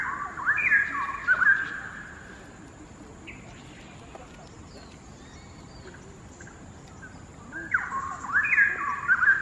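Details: Straw-headed bulbul singing from a distant hanging branch at the far end of a quarry in Singapore, two birds present; a loud warbling phrase opens, several seconds of quiet with faint chirps, then another rich bubbling phrase.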